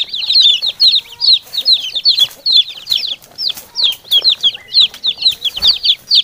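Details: Domestic chicks calling to a hen. Bright, high-pitched peeps come in quick uneven clusters throughout, with faint lower clucks and soft background noise.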